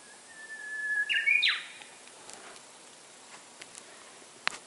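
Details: Japanese bush warbler song heard during a morning walk: a held whistled note, then a jump to a brighter, higher phrase that tumbles downward. A few soft clicks and a sharp tap follow in a quiet setting.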